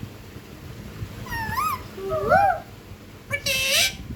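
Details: Ringneck parakeet kept as a pet, imitating speech: wavering harmonic syllables that rise then fall, a stacked double note in the middle, and a final drawn-out upswept phrase ending with a harsh noisy burst.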